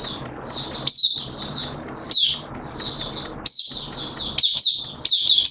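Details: Oriental white-eye, a hobby cage bird, in open song on 11 September 2022 during wet, erratic weather: high, sweet, fast-chirping warbles, some notes sliding downward, delivered in runs with brief gaps over a soft low rumble.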